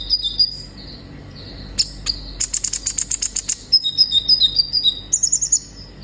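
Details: Olive-backed sunbird in vigorous song, used as therapy to prompt young captive birds to sing: thin high whistled notes alternating with bursts of rapid dry ticking clicks, then wavering whistles and a final clicking run, over low steady background hum.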